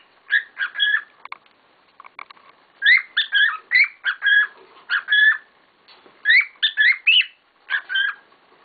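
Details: Pet cockatiels kicking up a storm: repeated bursts of bright whistled chirps and rising squeaks, in several groups spread over the recording with short silent gaps.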